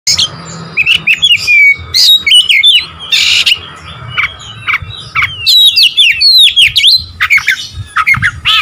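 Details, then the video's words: Oriental magpie-robin singing loudly to provoke rival birds: rich varied whistles, slurred rising and falling notes and sharp chattering bursts in rapid bright phrases, separated by brief pauses. "memancing emosi Kacer lawan"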